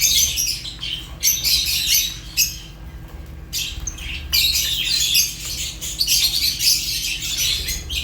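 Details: Shrill, rasping chirps from Fischer's lovebirds arrive in dense bursts, with a noticeable lull in the middle before the high chattering picks up again and carries on steadily.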